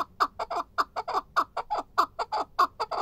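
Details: Rapid, evenly spaced chucking notes from a chukar partridge, about one every quarter second, each a short harsh burst, loud and close with little else audible.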